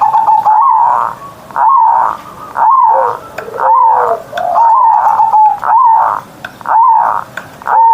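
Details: Caged zebra dove (perkutut) singing in the morning with a big, full voice, in the Javanese ngerot style: rolling, cooing phrases near one pitch, repeated roughly once a second with short gaps between bursts.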